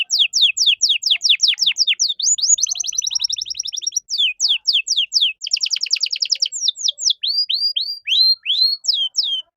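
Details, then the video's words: Training song of a caged canary for teaching other songbirds: rapid falling whistles interleaved with dense buzzy trills and upward-hooked chirps, steady and loud throughout. "MASTERAN KENARI GACOR || Cengkok Mewah Mudah Masuk untuk Burung Bahan"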